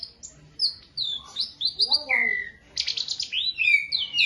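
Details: Beginner Asian pied starling in a masteran recording: clear whistled phrases sliding high then dropping to a long falling whistle, followed by a scratchy, buzzy chatter and a final warble.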